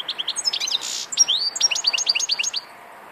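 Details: European goldfinch singing a fast, tinkling twitter of bright, high notes, with a short buzzy burst and then a run of rising, sharply repeated chirps that stop abruptly before a quiet end.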